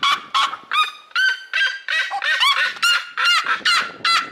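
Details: Seriema, a snake-hunting bird whose loud screams carry several kilometers, giving harsh yelping screams in a rapid series, about eleven loud nasal notes in four seconds, each with a rising or falling inflection.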